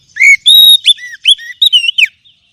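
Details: Oriental magpie-robin song used as a lure to get silent kacer singing: loud, clear whistled notes, some slurred upward, others arched downward, delivered in a quick varied phrase of about eight notes with short gaps.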